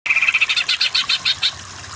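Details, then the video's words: Greater green leafbird, a training recording meant to make weak-voiced birds sing in the energetic kejer style: a thin trill near one pitch, then a string of about ten loud, buzzy pulsed notes at a quick, steady pace. "Masteran Burung Cucak Ijo yang Kurang Power Jadi Kejer Kejer"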